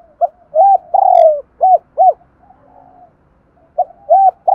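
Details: Daily calling of a spotted dove used as a lure: one full cooing phrase of short notes, a long falling coo and two arched coos. After a quiet pause of about a second and a half, the next phrase begins with similar deep, soft notes.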